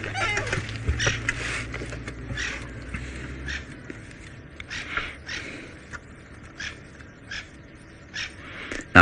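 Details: On a sunrise safari drive on 21 January 2018, birds alarm-call at a female big cat with her cub, giving harsh scolding chatter in bursts about every second, with a low engine rumble early on and a man's voice.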